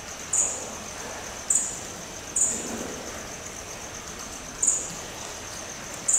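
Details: Red fody kept at Dvůr Králové nad Labem zoo, Czech Republic: very high, thin, sharp chips, each brief, about five spaced irregularly over six seconds, over a steady soft hiss.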